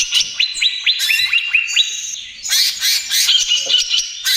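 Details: Trotol song of a greater green leafbird, used to lure and soothe other birds: a run of six rising whistles over a high tone, then loud scratchy rattles and short clear notes.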